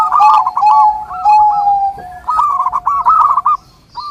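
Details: Song of a zebra dove, known locally as perkutut, recorded for training and luring these birds. Rolling trilled coos are set over a longer, lower coo, then give way to a fresh trilled phrase after a pause.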